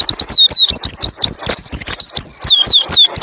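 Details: White-eye song used as a training recording to make other white-eyes sing: a rapid, unbroken run of high, sharp whistled notes, each sliding downward, repeated several times per second with clicking sounds throughout.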